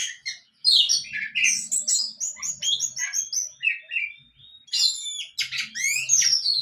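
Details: A young orange-headed thrush practising its song, stringing together quick high whistles, rapid repeated notes and descending slurs in a fast, varied warble with one short pause.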